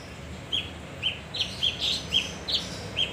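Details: Male leafbird lure song: eight brisk, bright chirps at uneven intervals, some rising slightly, over a quiet low hum.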